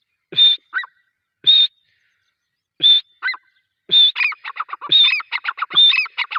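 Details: Grey francolin (Francolinus pondicerianus) giving loud, shrill notes, first as spaced pairs about once a second, then speeding into a rapid run of ringing, repeated phrases.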